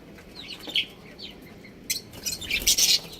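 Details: Breeding pair of budgerigars chirping: faint high chirps early on, then a burst of loud, bright, scratchy high chirps toward the end over a quiet background.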